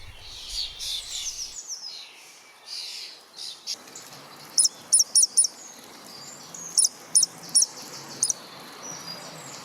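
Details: A common starling in a London park gives harsh, hissing chatter, then bursts of sharp, high clicks and squeaky whistles in quick groups of two to four, mimicking crows and magpies.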